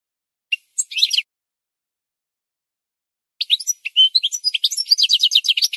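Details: Goldfinch song, played as a training recording for birds to learn from: a short twittering burst, a pause of about two seconds, then a long run of rapid, high, tinkling notes with buzzy trills. No other sounds.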